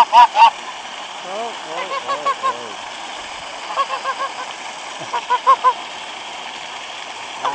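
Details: Geese fed bread by a waterfall, 26 February 2013, in cold weather with parched grass; two loud honks open, then groups of softer honks recur amid steady water-like rushing.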